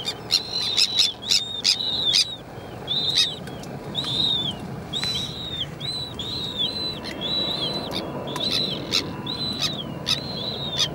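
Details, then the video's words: Slender-billed gulls, an adult and a chick, giving thin, high, arched calls about once a second, with sharp clicks and a low colony murmur behind. "Goélands railleurs adulte et poussin"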